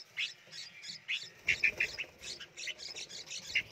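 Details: Captive red-whiskered bulbul chicks in a nursery box being hand-fed, begging with shrill, high chirps in quick overlapping bursts, several nestlings calling at once.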